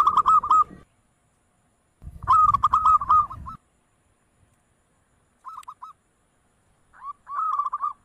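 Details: Zebra dove (perkutut) calling in bursts of rapid, soft staccato coos at a steady mid pitch, each phrase a quick rattling run of notes. Between phrases there is silence, and low rumbling thumps accompany some bursts.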